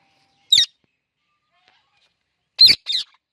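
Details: Indian ringneck parrot, a talking pet bird, producing clicks: one crisp click, then after a two-second pause a quick double click. The background is silent.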